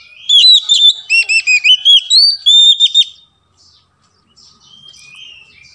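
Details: Oriental magpie-robin (kacer) used to coax quiet birds into singing: about three seconds of fast, sweet, looping whistled phrases repeated at a lively pace, then near silence with faint distant chirps.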